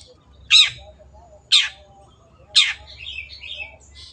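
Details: Long-tailed shrike giving three loud, harsh, rasping notes about a second apart, followed by softer chattering, twittering phrases, over a faint low hum.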